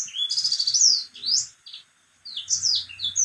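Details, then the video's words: White-rumped seedeater singing in a cage: quick high whistled notes and bright rising slurs, a short silent gap, then more twittering phrases, with faint low noise underneath. "BURUNG BLACKSTROAT GACOR"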